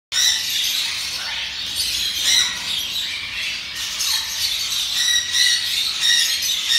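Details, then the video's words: Red siskin (Carduelis cucullata) singing a fast, continuous, buzzy twitter with high trills and chattering notes, possibly several birds overlapping. "Red Siskin"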